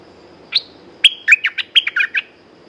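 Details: A caged red-whiskered bulbul gives one lively phrase: a lone sharp upward note, a short gap, then a quick jumble of six or seven loud, clipped whistles and chirps ending abruptly.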